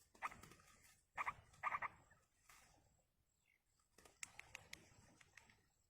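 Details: Yellow-vented bulbul chicks in the wild begging while a parent feeds them; harsh, raspy bursts come singly and then in a quick cluster of three, followed by softer clicks and rustling.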